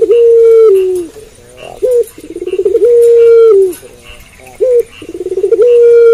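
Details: Puter pelung dove cooing at night in repeated phrases, each a long level coo falling slightly, a brief sharp note, and a rapid pulsing build-up leading into the next long coo.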